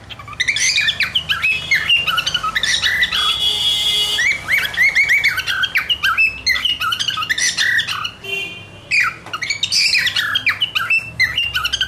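A cockatiel sings a busy run of whistles, chirps and harsh squawks, mostly high and repeated.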